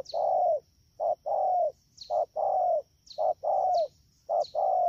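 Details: Fast cooing from a wild-caught spotted dove, rainy season, Đak Tô, Vietnam, 3 October 2019: a long hoot, then repeated pairs of a clipped note and a drawn-out, slightly falling coo, with faint high chirps overlapping.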